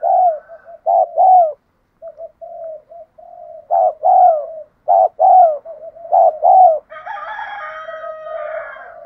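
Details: Spotted dove cooing urgently to train decoy birds: repeated pairs of hollow, falling coos separated by softer low murmurs, and a harsh, crowing-like call overlapping near the end.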